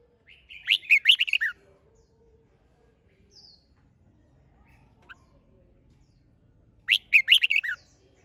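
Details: Red-whiskered bulbul song: two bright whistled phrases of five or six slurred notes each, about six seconds apart, separated by near silence with a faint low hum and a few soft distant chirps.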